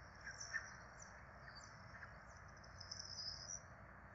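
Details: Nest of four Peregrine falcon chicks being fed in Rome, 12 April 2024; a continuous high, reedy begging whine wavers in pitch and strengthens late, with a faint low chirp early on, over hiss.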